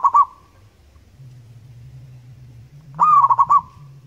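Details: Rapid trilled cooing from a wild local zebra dove: a brief phrase ending, then a fuller run of quick rolling notes after a pause, over a low steady hum.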